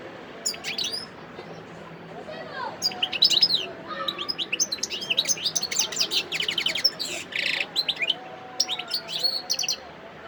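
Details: Song of a wild European goldfinch recorded in Sidi Bel Abbes, Algeria, on 17 December 2021: bright high chirps and trills in bursts, a short buzzy rasp midway, with faint lower background sounds.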